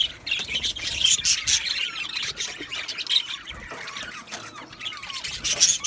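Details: Australian budgies kept as an aviary colony chirp and warble together, with high rising squeaks and scratchy chatter overlapping steadily.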